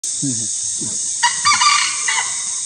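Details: A wild red junglefowl (Gallus gallus) cock gives a brief, harsh crow, clipped and broken into a few bursts after some low clucks, over a steady high hiss of insects.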